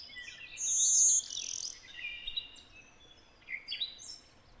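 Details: Very high, thin insect-like buzz from a Blue-winged Warbler in Connecticut, an area with many Golden-winged hybrids. The buzz drops to a lower buzzy phrase, with softer high chips and buzzes after it over quiet background.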